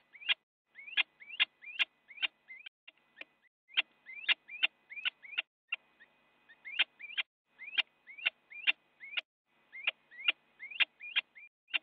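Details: Fighting little owls in a Dutch nest box, live camera, 8 January 2017 morning; steady run of short rising squeals with sharp clicking ends, a brief pause near the middle, then the excited series resumes.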